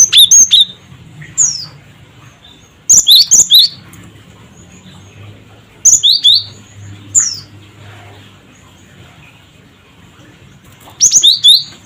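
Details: Cinereous tit, locally gelatik batu, in its 'cret cret wucit' provoking call: bursts of quick two-pitched whistles recur every few seconds, four bursts plus a lone descending whistle, over a quiet background.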